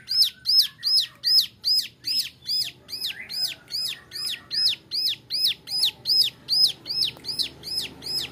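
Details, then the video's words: Song of a young male bar-winged prinia, used to teach other birds: a steady run of identical piercing chips, each dropping sharply in pitch, about two and a half per second, against a quiet background. "Suara ciblek gunung muda nembak varisi cocok buat masteran"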